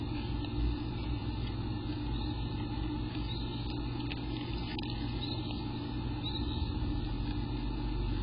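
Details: Steady low rumble like traffic or machinery fills the whole stretch, with no clear animal calls standing out.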